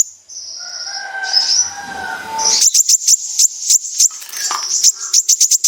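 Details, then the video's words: Sunbird song played as a lure to set other sunbirds singing, in a lively full besetan style: thin high whistled lines at first, then a fast run of sharp high chips with a ringing sustained tone. "Pancingan burung Kolibri ninja gacor | full besetan"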